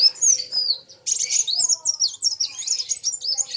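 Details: Caged kolibri wulung sunbird singing hard against a rival bird that is also in full song: high, thin, fast twittering phrases with sharp sweeps, broken by a short pause, then a busier burst of overlapping chirps.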